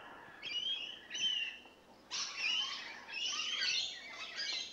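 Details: Several rainbow lorikeets that have just moved in, full of lively carry-on: two short screechy bursts, then a longer run of harsh, grating squawks after a brief pause.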